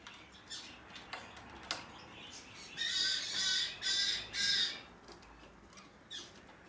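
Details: Blue-eyed cockatoo, hand-reared and bred in Japan, uttering three harsh, raspy, noisy squawks in quick succession midway, framed by scattered clicks and handling noises.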